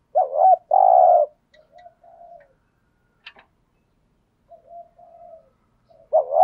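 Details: Decoy spotted dove cooing to lure wild doves: two loud, low, hollow coos, the second long and steady, with soft murmured notes between them and a final coo at the end. No other sounds.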